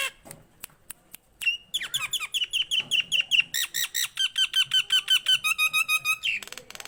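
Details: Nias hill myna in full song: a few dry clicks, then a fast series of short whistled notes repeated almost three times a second, shifting between pitched phrases and finishing with a bright upward slur.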